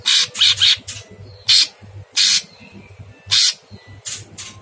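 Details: Caged sooty-headed bulbul singing a very harsh masteran training song for cage birds: grating, noisy squawks in a fast cluster of three, then spaced single bursts about a second apart, a low hum beneath.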